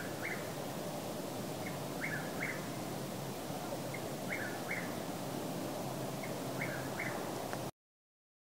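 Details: A Chuck-will's-widow sings on an evening with a nearly full moon at Walnut Creek Park, Austin, Texas: short, whistled, emphatic phrases about every two seconds, faint against a steady background rush of wind or distant traffic.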